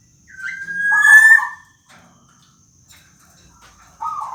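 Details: Black-naped oriole, a local golden oriole, calling actively with its whining call: a clear rising whistled note slurs into a loud buzzy, nasal burst, then a short pause and another nasal note begins.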